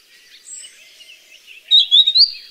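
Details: Wild grey-headed canary-flycatcher recorded in nature, not caged: faint high wavering notes, then a loud clear burst of three or four quick sweet whistled notes near the end, over soft background bird chatter.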